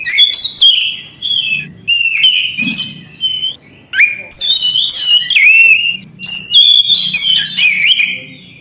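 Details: Continuous, varied song of an Orange-headed thrush, phrase after phrase of bright whistles, buzzy trills and sharp chips, the loud bursts separated only by very short gaps.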